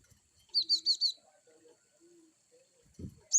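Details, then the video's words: Cinereous tit (glatik batu) wucit calling: four evenly spaced, sharp high chirps in under a second, then quiet with faint lower tones, a thump and one final high note. "glatik batu wucit2 bervariasi cocok untuk terapi glatik bahanmuu"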